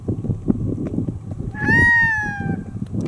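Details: Red-throated loon in Chukotka wilderness, river trip: one long, nasal wail lasting about a second, gently falling in pitch, against continuous low rushing noise.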